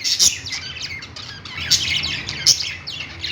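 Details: Pet store budgerigars chirping together on a perch, overlapping thin, sharp tweets and chattering warbles in quick bursts, loudest in short peaks.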